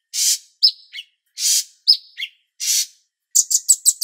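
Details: Cucak cungkok bulbul master recording with water-therapy pauses: short whistled notes dropping in pitch alternate with broad hissing bursts of water, ending in a quick series of five sharp high chirps.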